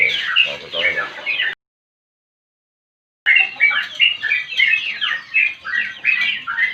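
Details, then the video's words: Sooty-headed bulbul singing in a long unbroken flow, used to draw out song and to tutor captive birds: rapid bubbly whistled notes in quick slurred phrases, briefly cut to silence, then resuming just as busily. "Burung Trucukan Gacor Untuk Memancing Bunyi Dan Masteran"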